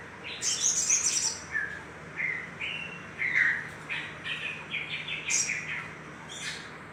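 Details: Little spiderhunter chirping, played as a lure to stimulate other birds: clipped, slurred notes in quick irregular groups, mixed with piercing high squeaks and a faint constant hum behind.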